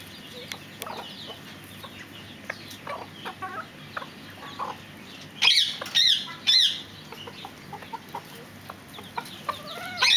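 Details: Fireback pheasants giving sharp, squealing calls that rise and fall. Scattered softer clicks and chips come first, then a loud cluster of three calls near the middle, and a final call at the end.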